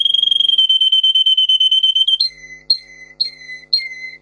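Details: Canary of the Russian singer breed in training song: a long level rapid trill, then a slower tour of sweet whistled notes, each sliding downward, repeated about twice a second.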